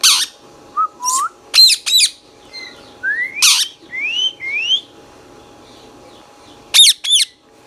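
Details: Green ringneck parakeet, Indian pet talking parrot, mixing loud harsh squawk bursts with rising whistled notes and sharp double clicks, a busy series of sounds followed by a pause and more squawks.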